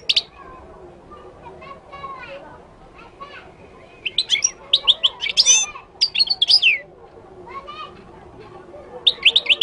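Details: Moroccan goldfinch in song: scattered soft chirps building into a dense, high twittering sequence of varied trills and tinkling notes, then pausing before another short burst, faint voices murmuring underneath.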